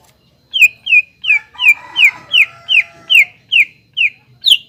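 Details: Greater green leafbird singing energetically as a lure for untrained birds: a steady train of about eleven bright, downslurred whistles at roughly two and a half per second, faint softer notes in the background.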